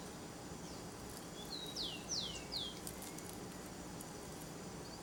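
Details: Saffron toucanet in the wild, eating a banana: a short run of three or four shrill descending squeals about a third of a second apart, with faint other bird notes and constant ambient hiss.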